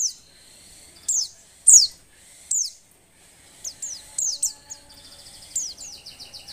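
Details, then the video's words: Breeding-condition female Oriental white-eye calling to rouse males to sing; high falling chirps in loose pairs, ending with a quick twittering run of tiny repeated notes. "suara pleci betina birahi"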